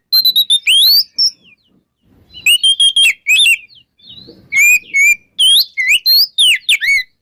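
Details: Ngeplong-style morning singing by an oriental magpie-robin, played to prompt stalled magpie-robins to sing: clear, piercing whistled phrases mixing level notes and sharp upslurs, in three separate bursts with short quiet gaps.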